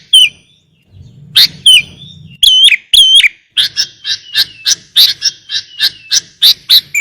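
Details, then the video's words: Sooty-headed bulbul (kutilang) song from a lure master recording with rich 'isian' phrases: high slurred whistles, then loud paired bubbling notes, then a fast run of sharp chirps repeated about three times a second; faint low hum in the background. "Pancingan| Masteran Kutilang Isian Mewah"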